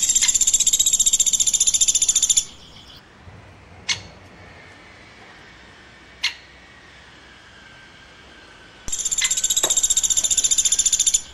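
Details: Woodpecker chirping: a rapid, high, buzzy pulsed chatter of about two and a half seconds, then near silence with two sharp ticks, then another fast pulsed burst of similar length.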